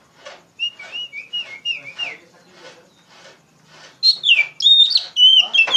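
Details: Oriental magpie-robin (kacer) singing loudly in a lively manner, a lure song for tutoring young birds. Repeated slurred whistles descend in short loops, then a louder burst of sharp, varied, rising and falling whistled phrases, with soft scratchy sounds between.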